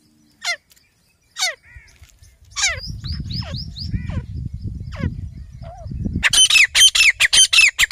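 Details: Grey francolin (desi teetar), one of a pair used in hunting, starting with scattered sharp descending notes over low rumbling, then breaking into a rapid series of loud, shrill, harsh notes.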